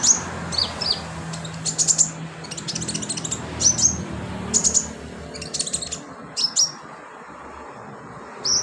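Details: Sunbird used as filler song for training birds: repeated thin, high, piercing chirps and brief ticking rattles, a few per second in bursts, over steady low background noise.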